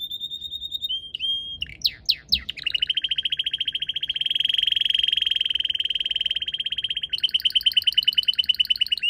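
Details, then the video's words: Red canary in a garden with purple azaleas, late March: short high trills, a few steep downward sweeps, then a long rich buzzy trill closing with brighter rapid notes. "赤カナリア りんりんの囀り🐥Red Canary Singing"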